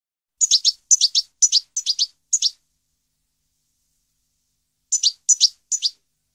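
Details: European goldfinch song recorded in 2015: high twittering bursts of two or three quick chirps, repeated about twice a second, then a pause of over two seconds before three more bursts.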